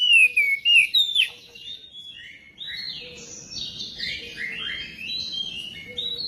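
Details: Magpie-robin song used as a prompt to make another magpie-robin sing: loud, clear whistled phrases rising and falling over the first second, then a softer, continuous warbling run of varied high notes with faint low background noise.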